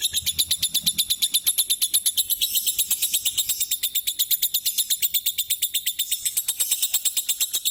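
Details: Nearly nine-year-old lovebird calling as it does every day: a long, even series of piercing, clipped chirps, close to three per second, very regular throughout.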